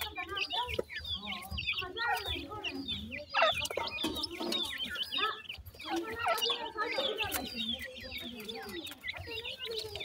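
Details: Pheasant chicks calling while eating feed, a dense chorus of high thin peeping calls, many overlapping, with low clucking sounds and pecking noise beneath.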